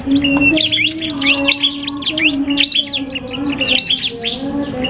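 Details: Iora (cipoh kristal) and a prinia singing in a duel: lively, looping whistled chirps delivered in quick clusters, slowing briefly toward the end, over a constant low hum.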